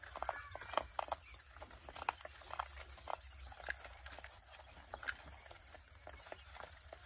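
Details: Three-day-old Coturnix quail chicks giving short, faint peeps in scattered bursts, some in quick pairs, against a steady low hum and clicking background noise.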